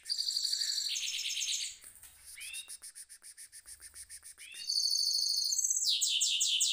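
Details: Caged mule goldfinch singing in a rolling style: loud, fast, high buzzy trills for nearly two seconds, then softer scattered chirps and short rising notes, before bright rapid trills return strongly to the end.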